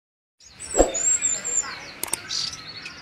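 Chestnut-crowned Warbler giving a very high, thin, wavering whistle, followed by a short buzzy phrase, with a few sharp clicks and faint background noise.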